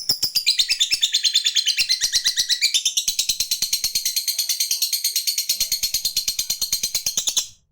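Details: Lovebird in fighting trim giving a long ngekek chatter meant to call a rival and make it chatter back: a continuous shrill, rattling stream of rapid high notes, about three per second, lasting over seven seconds before stopping abruptly.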